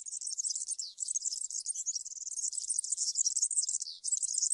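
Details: Unbroken stream of European serin campero song, a very high, fast, glittering jingle of buzzy trills and twitters lasting the whole stretch with barely a break.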